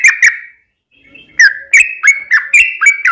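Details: Yellow-vented bulbul singing to draw replies from other bulbuls: two sharp chirps, a short silence, then a quick series of bright, slurred notes, roughly three per second.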